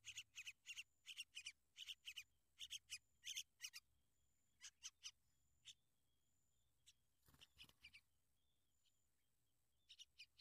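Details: Sooty-headed bulbul watching over its young: clusters of loud raspy chatter notes for about four seconds, then scattered single rasps. A thin steady whistle runs in the background, with a brief rustle near the middle.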